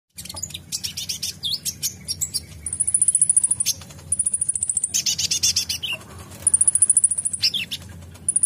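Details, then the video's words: Van Hasselt's sunbird, an untrained bird responding to the song of a vocal one: very high thin chirps and short notes, then fast rattling trills repeated about four per second, in several bursts with brief pauses between them. "Konin bahan langsung respon bunyi dengar konin gacor ini"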